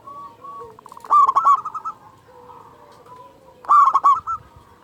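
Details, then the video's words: Local Zebra Dove with a big voice, used to make caged doves start calling. Two loud, harsh bursts of rapid cooing notes, each trailing into a rolling trill, come about two and a half seconds apart. Faint coos sound in between. "Perkutut Lokal Gacor Suara Besar Pancingan Burung Perkutut Agar Cepat Bunyi"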